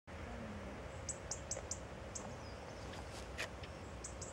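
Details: Radde's warbler (Phylloscopus schwarzi) calling at Kilminning, Fife, on 21 October 2012: soft, dry clicking 'tuk' notes, a quick run of five then two more spaced out, over a steady low rumble of wind.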